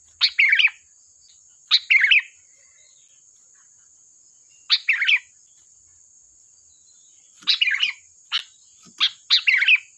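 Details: Lively sooty-headed bulbul song used for luring birds: short, sharp, chattering phrases of quick mid-high notes, bunched in bursts with gaps of a few seconds, over a constant thin high whine.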